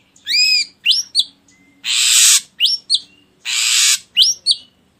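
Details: Ashy drongo song used to draw other birds into song: an arched whistled note with rich harmonics, then rising chips and two long harsh hissing rasps between whistled pairs.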